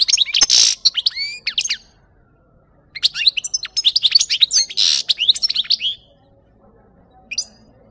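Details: European goldfinch song, used as a lure for capturing birds: two energetic bursts of quick twittering and harsh buzzy notes, split by a pause of about a second, then a single short note near the end.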